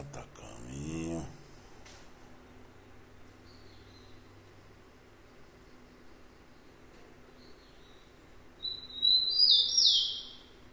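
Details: Rufous-collared sparrow (tico-tico) gives a brief, loud, high whistled phrase near the end, with a slurred falling note. It comes after a long quiet stretch that opens with a burst of speech.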